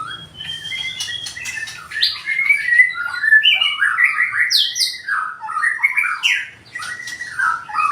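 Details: Loud, full song of a White-rumped shama with a 20 cm tail: a continuous stream of sliding whistles, rising and falling notes and short chattering bursts, strong throughout.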